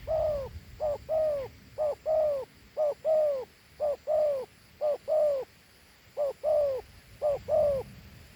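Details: A Thổ Hú spotted dove keeps up a long run of two-note coos, a quick short note leading into a longer descending note, roughly seven pairs in eight seconds with one slight pause.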